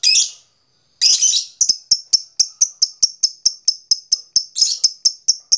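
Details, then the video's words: Lovebird long chatter, called ngekek, used as a lure for other birds: two scratchy bursts open a rapid, regular series of sharp high ticks, broken by another rough burst. "suara lovebird ngekek panjang"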